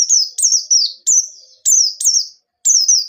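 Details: White-eye pouring out sharp nembak-style song, used to spur untrained birds into singing: steady string of high, slightly buzzy notes that drop in pitch, about one per second, with a short pause near the end.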